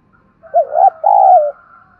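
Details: Spotted dove calling to stir wild doves to respond, giving a two-part phrase: a wavering, bouncing low coo followed by a longer smooth note that dips at the end, with a faint higher overtone throughout.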